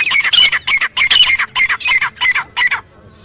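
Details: Wild grey francolin in jungle giving a loud call: a quick series of about nine harsh, ringing squawks, roughly three each second, ending abruptly in near silence.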